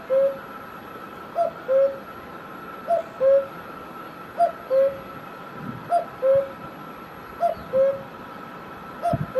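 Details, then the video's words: Cuckoo in Himachal Pradesh, India, giving its falling two-note "cuck-oo", a higher note then a lower one, repeated about every one and a half seconds over a steady insect-like hum. "Cuckoo Bird Sound"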